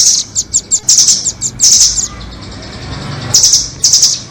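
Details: Lure for trapping rambatan nuthatches, doraemon and red-billed: a fast sequence of chips and shrill trill bursts, a lull of faint low noise, then two more high trills.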